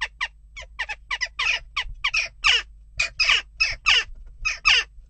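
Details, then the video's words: Loud, rasping western jackdaw calls repeated almost without pause during unrest at a nest box. Some notes are short and clipped, others broader and harsher. "Onrust blijft door--kauwen"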